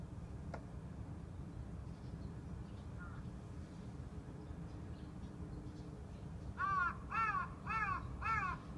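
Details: A crow's sudden 'kaa, kaa' that stops a pet budgie in its tracks: one faint short caw midway, then a run of four strong, raspy, downward-bending caws about half a second apart, over a constant low hum.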